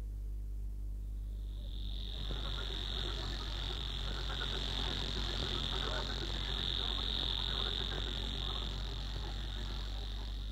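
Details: Savi's warbler, marsh bird of dense wetland vegetation, song: a fast, even, insect-like buzzing trill running on without a break, with a low steady hum underneath.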